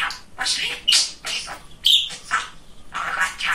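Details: Very chatty male pet budgerigar speaking in a small room: steady gravelly, speech-like chatter mixed with squeaky clicks and a couple of sharp high notes, syllables coming roughly once a second.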